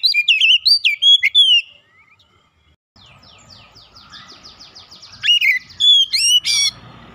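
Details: Oriental magpie-robin singing a full song with imitated phrases: quick slurred whistles, then a soft, even run of repeated ticking notes, then loud, sweeping whistled phrases returning near the end.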